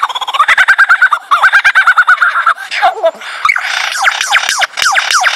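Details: A male lyrebird putting on a show of his repertoire: a fast rattling run of pulsed notes, then a series of sharp descending laser-like zaps, which are one of his natural calls.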